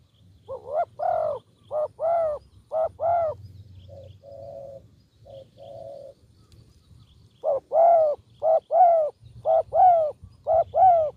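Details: Spotted dove cooing, used as a sound for luring doves: a series of soft, hollow coo notes given in groups of three to four, a quieter low-pitched stretch in the middle, then the loud cooing phrases resume, roughly one coo per second.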